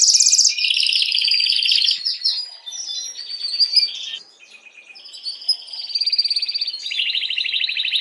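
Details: Canary song for stimulating hens to breed. Dense high buzzy trills change pitch in blocks, dip to a softer stretch midway, then return as a loud rapid rattling roll.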